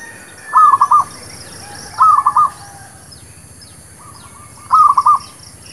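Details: Zebra dove, local village type, giving a lure song for trapping and new birds: three clear soft, trilling coo bursts, with a fainter, more distant similar phrase between them and faint high chirps.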